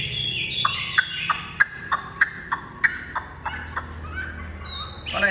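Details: Tame caged Chinese hwamei, described as fully hand-tame and a good singer: a run of sharp, evenly spaced notes about three per second, with thin high whistles held above them and faint background music.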